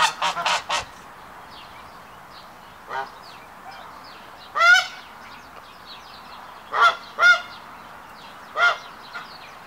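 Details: During the triumph ceremony, a male hybrid Canada goose displays to a female while pairs are forming. A quick cluster of honks opens, followed by spaced single and paired nasal honks with quiet chatter between.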